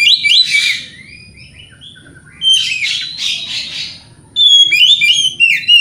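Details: Provocation song of an oriental magpie-robin (kacer), aimed at triggering rival magpie-robins: dense scratchy chattering runs mixed with rising whistles, in three loud bursts with a quieter stretch between.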